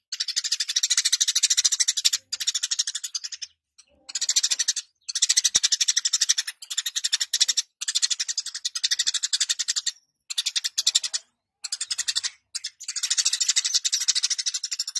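Eurasian tree sparrow chattering in dense, rapid bursts of high chirps, each lasting one to three seconds with short gaps between; no other sounds stand out.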